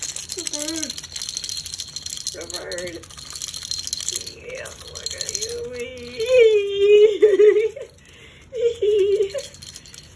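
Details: Pet Moluccan cockatoo indoors at home, singing and laughing while playing fetch with a toy rattle; wavering, warbling tonal notes held for several seconds, with a person talking and rattling nearby.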